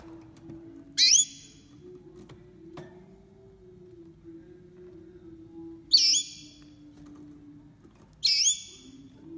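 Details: Hybrid of a male green Mozambique yellow-fronted canary and a female crested canary, bred in 2020. Three brief, ringing whistled notes, each dropping sharply then holding steady, spaced irregularly, with a constant low droning hum underneath.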